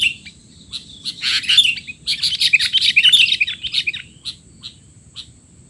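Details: Sooty-headed bulbul giving busy 'teler' chatter meant for training young bulbuls: a rapid jumble of bright chirps and scratchy notes, peaking mid-clip and then thinning to scattered single chips, with a steady high whine underneath.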